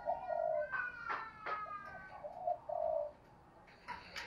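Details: Spotted dove prompted to coo quickly: low, mellow coos open and return near the end, while in between come several sharp clicks and a harmonic, higher drawn-out call from another bird.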